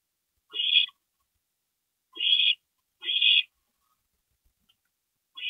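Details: Owl nest during a night-time parent stopover, 22 April 2012; four short, breathy rasping hisses in uneven spacing, with a two-second pause after the third and faint clicks between.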